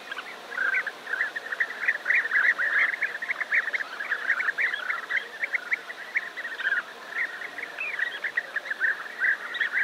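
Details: European bee-eaters, a large colony near Navalcan in New Castile, Spain, calling together: a dense chorus of short rolling, liquid notes overlapping continuously, many birds at once with no pause.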